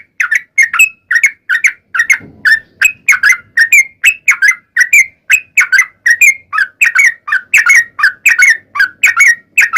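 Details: Lure recording of a Sooty-headed bulbul song meant to make bulbuls sing back: quick, fluty, falling and rising notes repeated about three times a second in a long unbroken series, clean background.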